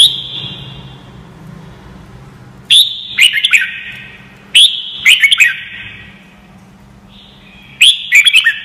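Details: Young white-cheeked birds are meant to learn from this red-whiskered bulbul song: three loud, rolling whistled phrases of several quick notes each, roughly two and a half seconds apart, with echoing pauses between them.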